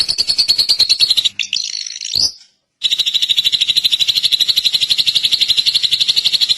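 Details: Drongo chattering in a rapid buzzy trill, interrupted by a scratchy rising phrase and a short silence, then resuming the steady fast pulses.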